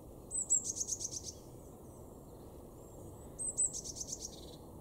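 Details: Eurasian blue tit in a garden in Weener, East Frisia, far northwestern Germany, February 2023: two very high phrases, each a thin opening note followed by a fast, even trill of about six notes, separated by quiet background hiss.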